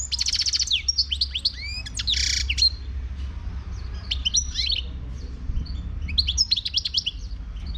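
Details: Song of a wild European goldfinch from Morocco: rapid tinkling trills, rising and falling slurred whistles and a short nasal buzz, delivered in bursts separated by brief pauses, over steady low rumble.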